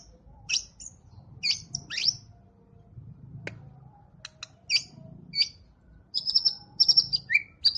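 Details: Champion competition white-rumped shama giving tembakan bursts: scattered sharp, very high chips and short clipped notes, then a run of bright repeated whistled notes and a falling whistle near the end, over faint low hum.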